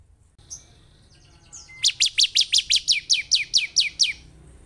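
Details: Bar-winged prinia (ciblek), lure song for making a caged bird active: soft twittering notes leading into a steady series of about thirteen descending high chirps.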